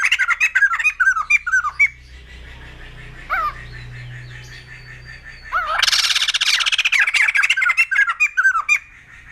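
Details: White-crested laughingthrush giving short, looping whistled notes that rise and fall in quick series, a quieter pause with low hum, then a loud burst of harsh, rapid chattering mixed with more whistled notes.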